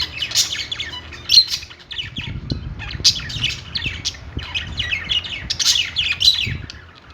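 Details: Pet-store budgies chattering on their perch, several birds at once giving rapid scratchy chirps and warbled squawks in near-continuous clusters, with a faint low rumble and soft knocks underneath.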